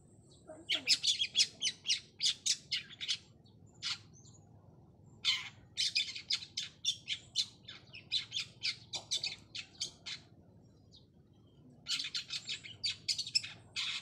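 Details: Long-tailed shrike in the trotol song style, calling out to find a rival: bursts of harsh, scratchy, rapidly repeated high notes in runs of several seconds, separated by short pauses, against a quiet background.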